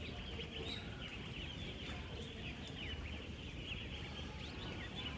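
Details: Huge crowd of 10-day-old ducklings on a real duck farm, active while eating and drinking: an unbroken stream of high, rapid peeps from many birds over a deep background rumble.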